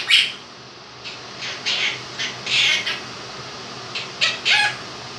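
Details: Quaker parrot, a two-year-old pet, singing a version of 'If You're Happy and You Know It' indoors beside a fan. Scattered hoarse, chattering syllables with uneven spacing and a loud opening note.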